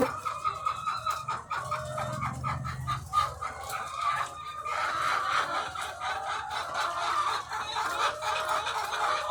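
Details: Egg-laying hens by the thousands on a farm, calling together in a steady wall of clucking and cackling, with brief louder squawks standing out and a low rumble early on.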